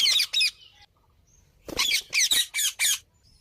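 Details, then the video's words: Parrot giving loud, harsh squawks in a fast run of about five rough bursts after two opening calls, with a short silence between. "മാമന്റെ തത്ത"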